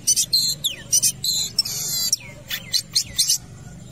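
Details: At a football field, a long-tailed shrike's energetic song: loud, harsh, buzzy bursts, one drawn-out rasp, and several short downward-sliding notes in between.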